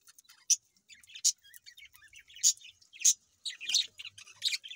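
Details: Hungry baby budgerigars giving harsh, raspy chirps in irregular bursts, several loud scratchy notes roughly every half second to second, mixed with softer twittering between them.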